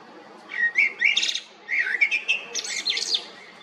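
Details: Common blackbird (Turdus merula) singing: two warbled phrases of low, fluty whistled notes that break into higher, scratchy twittering at the end, separated by a short pause, with a quiet background.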